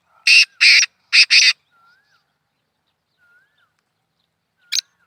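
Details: Black francolin calling: harsh, grating broadband notes in a rhythmic group of one, one, then a quick pair, with faint thin whistled slurs between and a single short note later.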